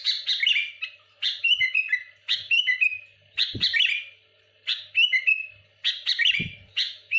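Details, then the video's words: Sooty-headed bulbul in full song, singing dense rapid phrases meant to pressure and provoke rival bulbuls: bursts of bubbling, warbled and whistled notes about a second long, repeated with short pauses, plus occasional low knocks. "Suara burung kutilang gacor muntahin isian tembakan rapat menekan lawan bikin kutilang lain emosi"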